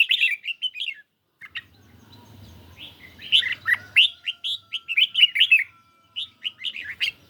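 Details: Singing duel between a caged red-whiskered bulbul and a phone playback on a mildly sunny day: lively clipped whistles in quick runs, a quieter stretch with low humming, then a dense run of bright notes.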